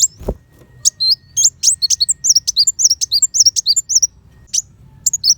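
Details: A steady stream of high, sharp sunbird chirps and rising sweeps, many notes a second, from a kolibri wulung in 'tembakan' style used to train white-rumped shamas; a single low thump opens the recording.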